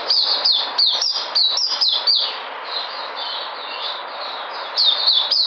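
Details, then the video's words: White-eye coming back into energy, 13 February 2020: quick bursts of high, sharp chirps, a quieter softer warble in the middle, then the rapid chirping returns. "Puteh Sunday coming back in energy 13022020"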